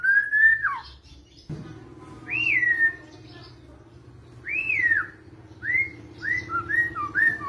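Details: White-rumped shama singing a kretetan-style training song: clear whistled phrases that rise and then fall, spaced about a second or two apart, then quicker short whistles, over a steady low hum.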